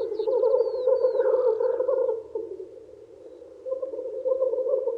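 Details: Spring display of male black grouse wooing females: a loud low bubbling chorus that dips quieter around three seconds and then resumes, with a few thin high whistles near the start.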